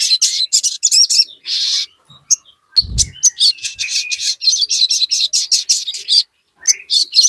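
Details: Crested jay song used to stir birds into answering: harsh, buzzy chattering bursts of high notes, mostly continuous, with a brief low thump early on.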